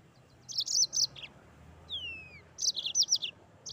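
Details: Mozambique canary in full rolling song, 'gacor ngeroll', giving quick clusters of piercing high chirps, broken by a single clear descending whistle, then resuming with rapid twittered notes; faint background hum.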